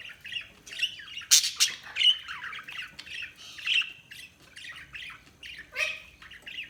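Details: Budgies chattering steadily: a busy stream of high, scratchy chirps and warbled notes with a few louder squawks rising above the rest.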